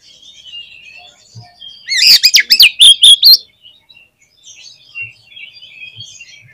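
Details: Energetic Oriental magpie-robin song meant to provoke other magpie-robins: faint twittering opens, then a loud volley of fast, looping whistled notes for about a second and a half, then soft scattered chirps again.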